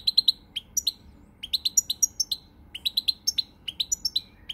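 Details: Lively song from a pied European goldfinch, dated 20 March 2020: quick bright chirps in tight clusters, rising and falling twitters and short upslurred whistles, delivered almost without pause.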